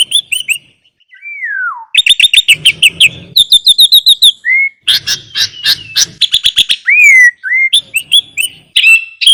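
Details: Sooty-headed bulbul song with rich mimicked fills, used as a master recording and lure for lazy birds: loud varied chirps, rapid clipped note bursts and slurred whistles falling and rising around the mid-high range, with brief pauses.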